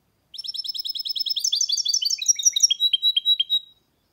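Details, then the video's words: Goldfinch hybrid mule song: a steady stream of fast, high, tinkling chirps that build in loudness, then slow into spaced, downward-sliding notes before stopping. "Goldfinch mule’s (hybrid) singing"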